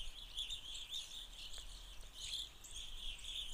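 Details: Feeding Evening Grosbeaks in Forest County, fall 2020 irruption year: many short, high chirping notes overlap in a steady chatter, with a constant low rumble of background noise.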